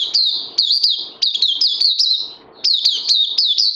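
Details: Caged oriental white-eye singing on day two of a health-supplement regime, 31 May 2020: rapid, continuous high chirping warble of sharp downslurred notes in quick bursts, with a brief pause near the middle.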